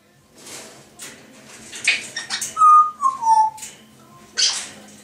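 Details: A pair of pet grey parrots chattering and whistling: soft scratchy chatter, then a sequence of pure whistled notes stepping downward, ending with a brief harsh burst.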